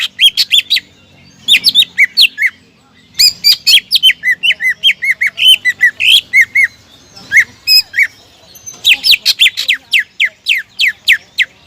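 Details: Greater green leafbird song used as a lure to provoke rival birds into singing: loud bursts of varied, sharply descending whistled and chattering notes in quick series, with short pauses between phrases.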